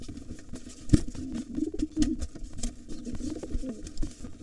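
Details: Short bursts of muffled, throaty cooing between heavy bumps and shuffling as wild pigeons clash in a nest box. A gray intruder tries to seize a nest with two nestlings from the white father.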